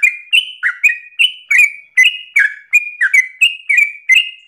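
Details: Sooty-headed bulbul singing persistently in a rapid 'ropel' style: bright whistled two-note phrases, a higher slur followed by a lower dip, repeated about every third of a second without pause.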